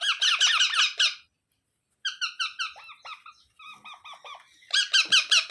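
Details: Baby parrot giving bursts of rapid, harsh, buzzy repeated notes, about two and a half per second, in three runs separated by short pauses; the middle run is softer, with falling notes.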